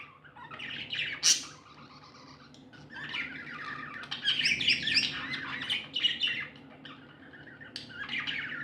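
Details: Pet budgerigars, described as happy, chirping in bursts of dense, scratchy warbled notes with sharp clicks, quiet gaps between flurries and a faint low hum underneath.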